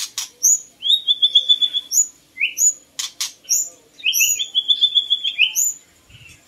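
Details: White-rumped shama (Copsychus malabaricus) song used to lure birds: loud, varied whistled phrases at high pitch, including a rapid rattling trill, sharp upslurred notes and crisp clicks, in bursts with short gaps.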